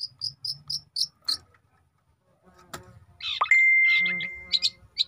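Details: Young long-tailed shrike giving quick high chirps, then a pause, a sharp click and a harsh buzzy phrase with a long steady whistled tone, ending in more rapid chirps.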